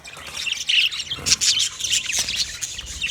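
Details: Budgerigars in an Australian aviary, a continuous busy flock chatter of high warbles, squeaks and chirps layered over one another with no pauses.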